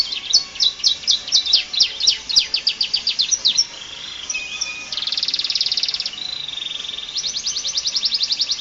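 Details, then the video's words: Canary singing a varied full song as a tutor for other birds: fast clipped chirps, then a softer warble, then long rapid rattling trills on one high pitch. "Burung kenari ful isian cocok untuk masteran"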